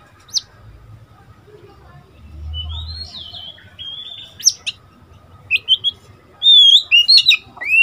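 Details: Young male Oriental magpie-robin, seven months old and just through its first moult, kept as a decoy bird, sings back at wild birds. It gives clear, sliding whistles and sharp chipping notes in quick, varied bursts, growing louder over a faint low rumble.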